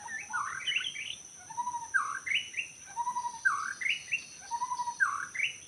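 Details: Wild white-rumped shama in Lombok forest, recorded during bird trapping: a repeated phrase every one and a half seconds, a low whistled note followed by sharply rising, stepped whistles, over a constant insect drone.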